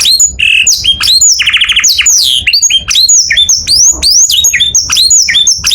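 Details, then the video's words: Morning canary song, loud and continuous: rapid high rising whistled sweeps repeated over and over, with a brief fast rattling trill mixed in. "O SOM DOS CANÁRIOS FAZ OUTRA EMOÇÃO DOS CANÁRIOS E ALEGRIA A VOZ DA MANHÃ"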